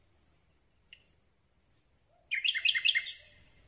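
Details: Common Nightingale singing at night, recorded at very close range with a microphone on a telescopic boom: long pure high whistles held steady, then a sudden burst of loud, rapid, chattering notes.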